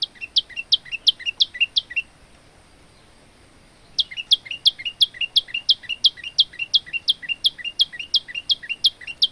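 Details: Male olive-backed tailorbird singing in lively, varied form: bursts of sharp, high chirps at about three per second, a two-second pause, then a longer steady run of the same bright notes. Used as training song for other birds.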